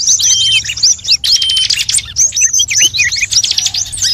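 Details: Recording for luring birds, said to combine species such as cimblek, srigunting and prenjak; thick, high chirping with a long level whistle early on, then choppy bursts of sliding notes and short trills.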